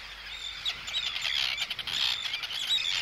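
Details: Arctic terns voicing anxiety and threat at an intruder: a thick wash of high, harsh overlapping calls with thin whistled notes rising above it.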